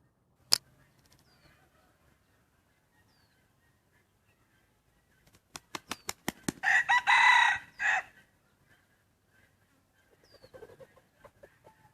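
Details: Rooster ranging free through Hmong farm fields and forest on a hillside, eating grass and weeds; a quick burst of wing flaps, then one loud, harsh, drawn-out crow in several segments, followed by soft clucking in a quiet setting.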